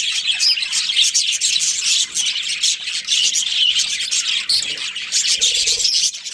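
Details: A budgerigar breeding pair keeps up a bright, busy warble: rapid high chirps and squeaky notes tumbling over one another, loud and continuous, with a sharper burst near the middle.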